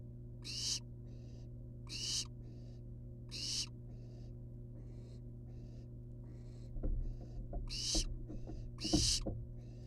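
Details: Wild barn owl nestlings hanging outside their monitored nest box give harsh, breathy hisses, each about half a second, repeated roughly every one and a half seconds; quieter hisses between, knocking and scraping noises later, steady low electrical hum throughout.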